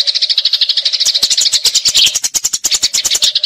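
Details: Eurasian tree sparrows fighting, a dense rolling chatter of harsh chirps kept as magpie robin tutor audio, overlaid from midway by a quick series of sharp clicking knocks.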